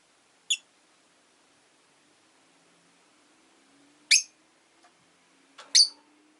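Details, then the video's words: Rosy-faced lovebirds caged at a window with five birds present. Three shrill, piercing chirps come at uneven intervals, the last doubled, over a low steady hum like a passing engine. "Lovebird Chirping Sounds"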